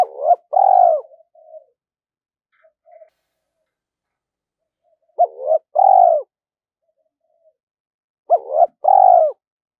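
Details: Spotted dove used as a decoy, cooing to draw wild birds in to fight: three similar phrases roughly every four seconds, each a short bent note and a sustained mellow coo, with faint soft notes in the gaps.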